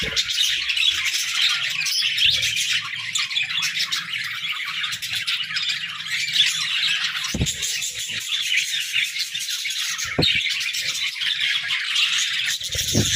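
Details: A group of pet budgerigars chattering through their morning routine, with continuous high, buzzy warbling and chirps, and a few sharp knocks or flaps heard as sudden clicks.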